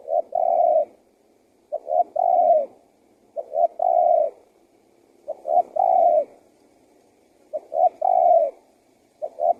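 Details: Lure call of a spotted dove meant to draw wild doves in and set them calling; rhythmic three-note cooing phrases, each ending in a drawn-out falling coo, repeated roughly every two seconds.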